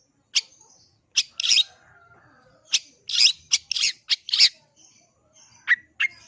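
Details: Cendet, the long-tailed shrike, in energetic song: a run of loud harsh, buzzy, scraping bursts, bunched tightly in the middle, ending with two short whistled slurred notes.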